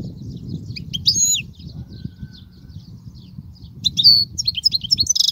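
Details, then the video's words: European goldfinch song used for teaching young goldfinches: short bursts of high twittering and tinkling notes around one and four to five seconds, separated by quiet gaps, over a soft low background rumble. "تغريد الحسون"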